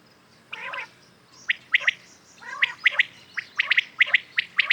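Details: In the morning, common quails mix two soft nasal, harmonic notes with a dense run of sharp, quick pulsed notes that speeds up toward the end.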